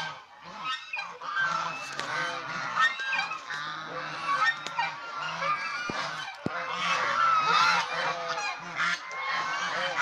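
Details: Dense chorus of domestic swan goose honks, harsh and trumpeting, about two to three calls a second from several overlapping birds, with occasional sharp knocks in the background.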